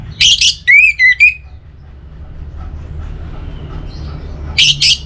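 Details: Orange-headed thrush (anis merah) kept as a songbird, singing loudly. Two harsh buzzy bursts are followed by a run of clear whistled notes, slurred up and down. After a quiet pause full of low hum, two more buzzy bursts close the phrase.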